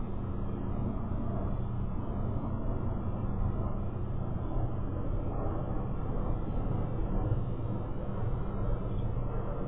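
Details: Constant low-pitched rumble, like distant engine or wind noise, and nothing from any animal.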